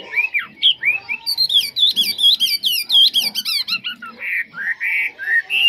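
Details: Chinese hwamei kept in a cage, described as a strong, faultless singer, delivering a fast, varied stream of looping whistles and trills, then slower, richer slurred phrases.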